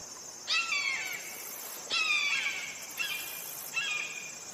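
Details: Red-shouldered hawk (Buteo lineatus), call.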